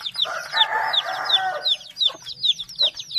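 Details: Chicks peep in a rapid chorus of high, downward-slurred cheeps repeated about every half second, while a lower hen-like cluck runs underneath during the first two seconds.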